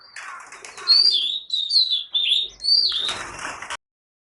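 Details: Bangladesh's national bird, the Oriental magpie-robin, delivers four loud sweet whistled phrases, each sliding downward, over about three seconds, ending with a burst of rustling noise before silence.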